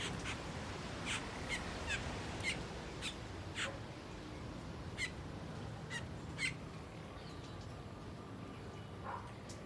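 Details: Feeding on ripe papaya, Asian glossy starlings utter scattered short, sharp, high squeaks and clicks at uneven intervals, roughly two a second, against a constant low hum.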